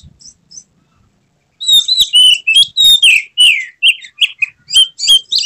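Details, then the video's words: Oriental magpie-robin in an emotional, tail-spreading display pours out a fast, varied song of loud whistles, downslurred notes and scratchy bursts after a couple of soft opening chirps. "Kacer mana yang tak mau respons dengar kacer ini | buka ekor bongkar isian penuh gaya emosi"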